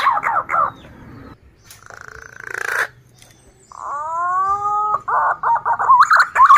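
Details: Male green pigeon kept by its owner, recorded to lure others of its kind: a few wavering notes, a raspy stretch, then clear layered fluty whistles and quick wandering whistled notes.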